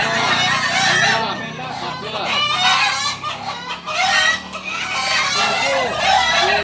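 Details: Kukuak Balenggek chickens, native singers of Solok, deliver repeated long, layered crows in bursts with brief dips between, accompanied by curved clucking notes and a soft murmur of people.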